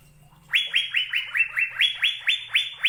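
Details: Fast, evenly paced series of ringing, liquid upslurred whistles from an Asian fairy-bluebird, about eleven notes at a steady pitch, over a faint low hum.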